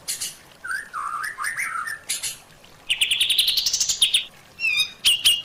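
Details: Training song of a white-rumped shama for caged birds, packed with fill-ins: varied whistled phrases, mid-pitched warbles, then a rising run of sharp high notes and short chirps.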